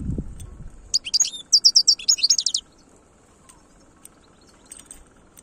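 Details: European goldfinch singing in the khelwi song style: a fast run of bright, twittering high notes, some buzzy, lasting about a second and a half, then quiet with a faint low hum and a thump at the start.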